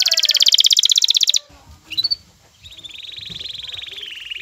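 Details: Excited male canary courting a female, with the female's call included: a loud rapid trill, a break with low background noise and a single upward chirp, then a softer, sustained rolling trill.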